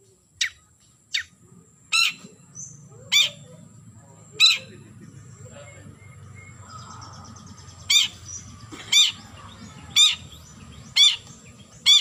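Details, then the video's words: Long-tailed shrike calling a rival: harsh, rasping notes at irregular intervals, about ten over twelve seconds, over a low steady hum. "Suara Burung Cendet Memanggil Lawan"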